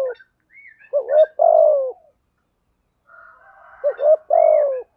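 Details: Spotted doves, cock and hen, calling to lure and train birds: two phrases of quick paired notes ending in a long descending breathy coo, with faint chirps and a soft hum between them.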